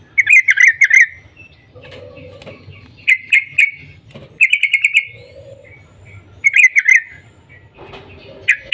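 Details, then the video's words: Yellow-vented bulbul calling in the morning, used to stir other bulbuls into song: quick bursts of three or four bright, bubbly chirps, repeated every couple of seconds, with lower buzzy notes between the bursts. "Panggilan trucukan gacor Cuk cuk Ropel pagi hari ini SUARA PINTAR menjadikan trucuk lain jadi gacor"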